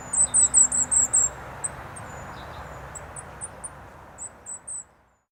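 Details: Goldcrest at Rooksbury Mill Local Nature Reserve, filmed 3 December 2017 on an overcast day, moving among bushes; a burst of very high, thin, rapid notes, then sparser faint high notes fading away, over constant low traffic roar from the A303.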